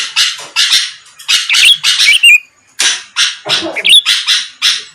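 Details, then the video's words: Lure recording of a sooty-headed bulbul, played to provoke rival birds: a long run of scratchy, buzzy notes in quick groups, with twisting whistled slurs and one brief gap. "pancingan Suara burung kutilang gacor⁉️lawan langsung merespon cepat"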